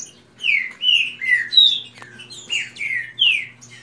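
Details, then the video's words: Captive green-winged saltators, several kept birds in a fast singing contest: a run of about seven loud, clear whistled notes, each sliding downward, delivered in quick succession, with fainter high chirps from another bird behind. "Disputa de canto rápido Esquente seu trinca ferro"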